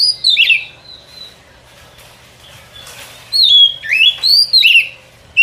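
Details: Lure song of a white-rumped shama for trapping in the forest: a descending whistle, a quiet gap, then a burst of varied sweeping whistles and sharp upslurs.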